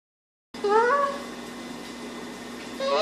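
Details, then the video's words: A talking parrot gives a short rising, voice-like cry, almost a meow, then begins another at the end over steady background hiss. "Talking Parrot"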